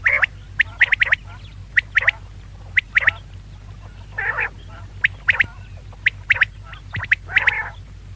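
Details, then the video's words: Female quail giving quick sharp high clicks in pairs and triplets, mixed with a couple of longer nasal, rasping notes, over a faint low hum. "female quail call maadi batair ki awaz 2024 batair ki awaz"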